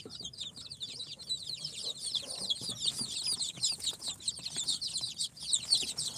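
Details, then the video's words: A crowd of incubator-hatched chicks on their fourth day, of Sultan, Golden Sebright, Cochin and booted breeds, giving constant shrill peeps that overlap into a steady, busy chatter, with light tapping sounds in the background. "Chicks hatched from the incubator- Day 4 - Tatlı Civcivler - Cute chicks🐥- كتاكيت"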